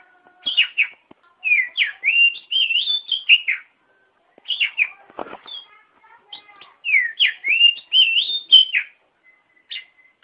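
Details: Oriental magpie-robin singing, used to train caged birds; three long phrases of quick liquid whistles looping up and down, a brief thump between them and a faint steady tone late on.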